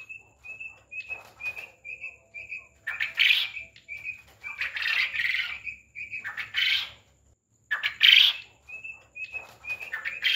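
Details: Quail, likely farm-raised birds in a crowded flock, give strings of short, high, clear peeping notes about five a second, with harsher squawks and rustling or wing-flapping bursts.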